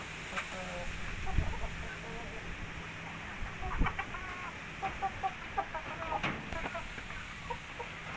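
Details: Three-month-old Indio Gigante chickens: scattered short clucking and chirping notes, some in quick pairs, rising and falling through the clip over a steady background hum with a few sharp knocks.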